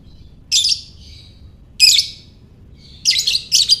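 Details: Lovebird in the ngekek style, used to rouse other lovebirds: three bursts of shrill, scratchy chirping, the last a quick double, with thin fading tails between them.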